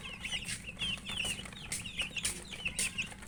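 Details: Chicks chirping while eating, separate bright peeps about every quarter second, interspersed with loud pecking knocks.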